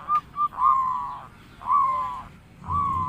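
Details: Local zebra dove kept as a lure bird for catching wild doves. Two short soft notes are followed by drawn-out, wavering hollow coos, with faint background noise.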